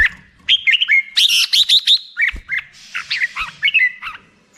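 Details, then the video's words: Lively, chattering song of a black-crested bulbul: quick high chirps and downward-slurred whistled notes strung in dense phrases with brief gaps. "HD suara burung merbah jambul mp3"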